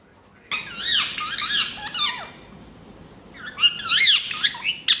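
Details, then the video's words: Ringneck talking parrot kept as a pet indoors: two dense runs of warbling, rapidly bending harmonic squawks, resembling chattered syllables, separated by a quiet gap of about a second. "Talking Parrot"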